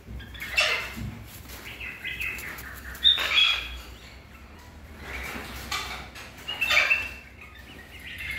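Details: Captive silver-crested cockatoo and a baby galah cockatoo give harsh, raspy screeches in four short bursts a couple of seconds apart, with thin high squeaks between them.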